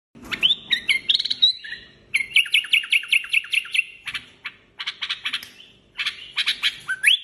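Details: A Common Bulbul (Iraqi bulbul) sings to teach its chicks: bright, whistled phrases with quick runs of repeated chirping notes and rising, liquid slurs, in several bursts over about seven seconds.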